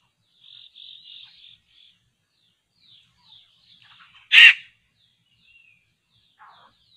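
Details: Laughingthrush (poksay) calling where traps are set to lure and catch birds: a single loud harsh rasping burst near the middle, preceded by faint thin whistled notes and soft chatter from other birds.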